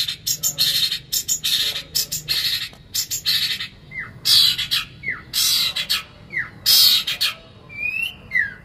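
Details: Long-tailed shrike (cendet) in full voice, presented as training and lure material: loud, harsh, rasping bursts repeated at irregular intervals, mixed with a few short downward-slurred whistles and a faint background hum.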